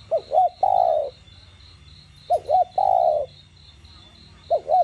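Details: Spotted dove cooing in the standard 'đồng gù' plus 'thúc' voice style, used to stimulate captive doves to call: two short wavering notes followed by a long, steady mid-pitched coo, repeated twice, over a soft pulsing insect buzz.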